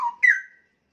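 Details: Straw-headed bulbul, young caged male-or-female singer about one year old: a single rich whistled note that jumps sharply upward and fades away within half a second.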